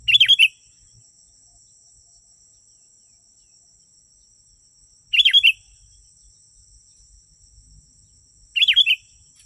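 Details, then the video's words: Sooty-headed bulbul, played to lure wild bulbuls closer: three loud bursts of rapid chattering, slurred notes spaced several seconds apart, with faint low rumbling and a steady high-pitched whine between them. "Suara burung kutilang 💯💯% asli.. burung kutilang liar pasti mendekat.."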